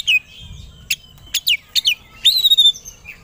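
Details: An Oriental magpie-robin, used as a lure to rouse rival birds into singing and fighting, gives a loud, rich song of clear whistles, sharp descending sweeps and chattering bursts, with short pauses between phrases.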